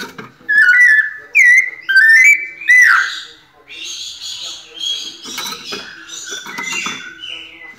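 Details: Pianado song of a White-necked thrush: four loud, clear whistled phrases with rising and falling slurs, about one per second, then a softer, rambling stretch of high, jumbled notes.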